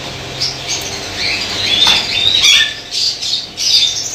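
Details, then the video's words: White lovebirds in a colony in Pakistan, a dense chorus of shrill, high squawks and chirps overlapping irregularly, with brief wing-flutter sounds. "Love Birds White Colony Pakistan"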